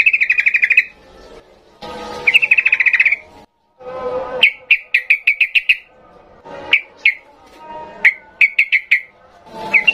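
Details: Sooty-headed bulbul singing an agitated, rapid ngalas-style song, used to train young birds. Fast buzzy trills and rattles near one pitch, broken by short rising whistled notes in bursts. Loud broadband rustling and knocking noises sound between phrases.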